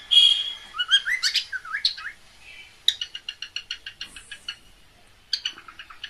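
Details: Pet cockatiel mating call: opening burst of squeaky rising chirps and whistles, then a run of short rapid clicking notes, pause, and another short series of quick chirps.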